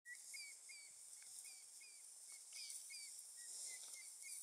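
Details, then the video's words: Several yellow-billed oxpeckers perched on a Cape buffalo's back near Mopani, Kruger National Park, South Africa, 13 November 2014; short downslurred chips repeated about every third of a second, over a loud, steady high insect hiss. "Klubák žlutozobý (Yellow-billed Oxpecker)"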